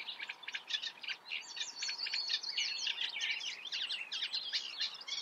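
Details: Unbroken chattering song of a Eurasian reed warbler, with rasping, jerky phrases of repeated grating syllables and a few brief tonal slurs over quiet ambient hiss.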